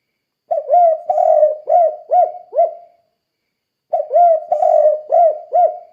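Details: Spotted dove calling persistently in the 'kuk 2' style, used to train other doves to call: two phrases of about five hollow, low, slightly bending coos each, the second phrase starting about three seconds after the first, against a silent background.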